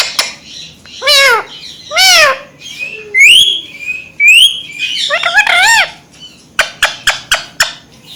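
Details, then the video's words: Indian green ringneck parakeets, a pet family, talking in front of a mirror. Loud, voice-like arched phrases alternate with bright upward whistles, followed by a run of rapid clicking notes. "Talking Ringnecks Family Together // Parrots Talking In Mirror"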